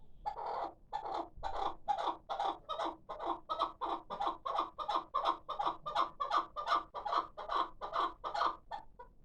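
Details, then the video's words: Six-month-old hybrid chukar partridge chick kept as a calling bird: a steady run of rough, clucking chuk notes, about two or three a second, holding the same pitch for nine seconds. "Кабки Гибрид"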